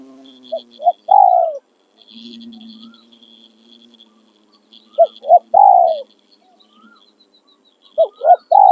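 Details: Caged decoy spotted dove, hung out in the afternoon during a dove-luring outing with wild doves calling nearby, coos in phrases of two short notes and a longer rolling note about every three seconds, over a faint high hum and a low drone.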